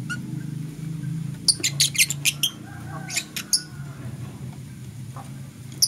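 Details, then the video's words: Green and blue personata (masked) lovebirds singing in the morning: a quick run of sharp, shrill, broadband chirps bunched over about two seconds, then a few scattered squeaks, over a steady low hum. "Lovebird Singing and Chirping Sounds - Green & Blue Personata"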